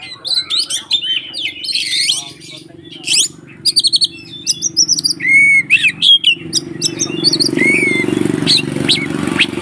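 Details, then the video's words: Provoking fighting song of a white-rumped shama: fast chattering trills and rapid clicks, then clear slurred whistles, with a steady low hum in the background. "SUARA BURUNG Kacer konslet TARUNG untuk PANCINGAN KACER agar ikut KONSLET"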